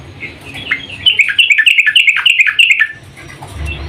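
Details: Female sooty-headed bulbul calling to a male: a rapid, bubbly run of chattering notes lasting about two seconds, loud and repeated several times per second, with faint low background hum.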